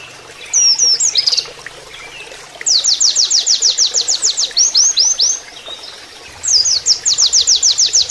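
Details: Oriental white-eye training song in canary style: twisting whistles, then a loud, fast series of downward-sweeping high notes repeated about five per second for nearly three seconds, pause, another similar series; water murmurs softly.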